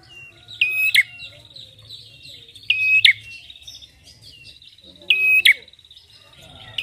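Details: Prinia called red-headed, used to lure and train songbirds: three evenly spaced phrases of a level high whistle ending in a sharp click, with a thin trill continuing between and a faint low hum.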